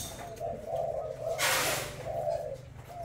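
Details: Thai-type spotted dove, white-hearted with a black necklace, delivering booming 'bo' coos: a series of low, soft, rounded coo notes with short gaps, interrupted midway by a loud broadband rustle.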